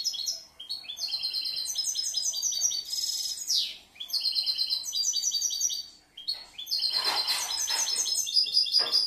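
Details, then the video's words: European goldfinch from last year's brood, a bird that varies and combines its phrases: long runs of bright, high, rattling twitters and buzzy trills, with three short breaks and a few harsher, noisier notes between phrases. "Un poquito del jilguero el enfadao"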